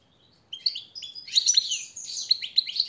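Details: Brief goldfinch training song for captive birds, starting after half a second with bright chirps, then rapid tinkling twitters and repeated sharp metallic notes.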